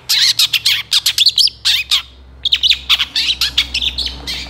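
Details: Long-tailed shrike singing energetically, with 'isian tembakan' fillers, kept as a master recording for training songbirds: a dense run of scratchy, chirping and squeaky notes, a brief pause near the middle, then more rapid varied chatter.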